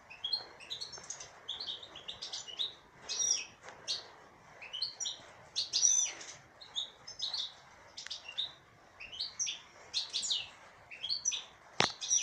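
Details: Caged goldfinch, a female, produces a lively continuous sequence of high chirps, twitters and buzzy trills in quick repeated phrases, with a sharp click near the end.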